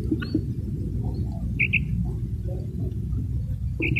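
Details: Female common quail (madi batair) calling: short, high double notes given twice, about two seconds apart, over a steady low rumbling background noise.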